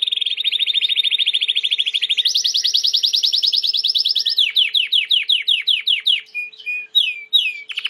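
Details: Clean song of a white Timbrado canary for training birds: a steady rapid roll, a jump to a higher fast trill, then a run of separate downslurred whistled notes, slowing into scattered chirps.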